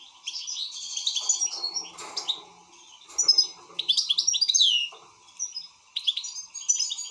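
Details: European goldfinch in an excited state, pouring out dense twittering song with buzzy trills and sharp downward-slurred notes, a brief lull near the fifth second, then more tinkling phrases, with faint hum behind.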